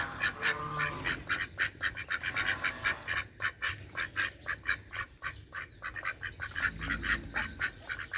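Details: Ducks quacking loudly, a dense run of harsh nasal quacks about four per second, several birds overlapping with no pauses.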